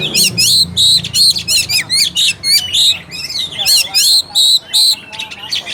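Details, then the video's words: Oriental magpie-robin singing in a lure recording meant to stir lazy, low-fight birds into song: loud, rapid, harsh chattering notes repeated about three per second, mixed with sharp whistled slurs. "PANCINGAN AMPUH UNTUK KACER MALAS BUNYI DAN KURANG FIGHTER."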